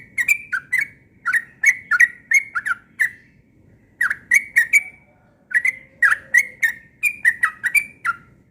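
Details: A yellow-vented bulbul sings insistently in the morning, pouring out clusters of bubbling, slurred whistles that rise and fall, grouped in quick runs of three to five with short breaks, low hum underneath.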